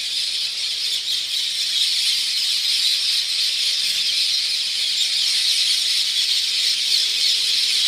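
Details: Hundreds of parrots calling loudly very early in the morning; a dense, continuous wash of high squealing and screeching voices with no pauses, the whole chorus steady in loudness throughout.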